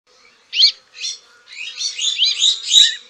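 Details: Azure-winged magpie (Cyanopica cyanus) gives two harsh, rasping notes, then a quick, scratchy chattering run of high-pitched, grating, buzzy calls.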